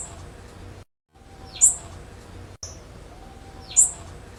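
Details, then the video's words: Warm-up material of a blue-black grassquit, also tagged as female calls. Two piercing, buzzy high notes come about two seconds apart over soft low background noise, with a brief silent gap between them. "ESQUENTA TIZIU 10"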